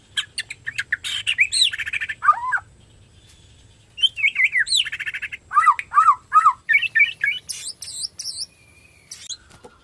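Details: Borneo white-rumped shama singing actively, used as a lure to stimulate other shamas to sing: a varied burst of buzzy chatter, slurred whistles and repeated looping notes, pausing briefly, then resuming with rapid sweeping whistles and high piercing phrases.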